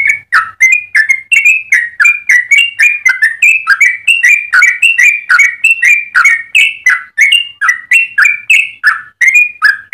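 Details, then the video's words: Long continuous rolling song of a yellow-vented bulbul, meant to train and lure other birds: a steady stream of short gurgling, slurred whistles, several each second, with no break and no other sounds. "Trucukan gacor ropel panjang cengkok termerdu untuk pancingan dan masteran"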